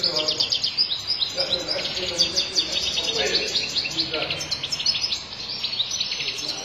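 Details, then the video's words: European goldfinch singing a rapid, unbroken stream of bright, tinkling twitters and buzzy trills, high-pitched and lively throughout, with faint low murmuring behind. "مقنين شرمار قوة وغناء خالي من الأخطاء"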